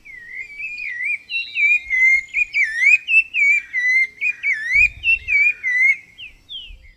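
A Rufous-bellied Thrush sings a flowing run of clear, fluting whistled phrases, rising and falling without pause.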